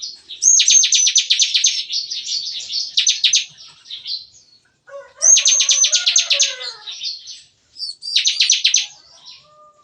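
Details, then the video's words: A morning song from caged bar-winged prinias in an aviary pen, likened to gunfire. Three loud bursts of very fast, high, clipped notes come with pauses between them. Softer lower warbles overlap the second burst. "Nembak-nembak! Kicauan CiKris Pagi Hari"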